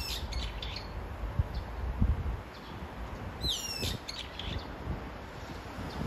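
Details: Brown-eared bulbul calling to its mate. One shrill, downward-sliding squeal sounds just past the halfway point, preceded by faint high chips, over a low rumbling background.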